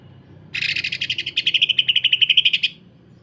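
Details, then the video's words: A cucak ijo, the greater green leafbird, gives a coarse 'sewing machine' trill. About two seconds of fast, evenly repeated harsh pulses, roughly a dozen per second, end abruptly into quiet. "Cucak Ijo. Kasaran Rapat Mesin Jahit dan Suara Aneh"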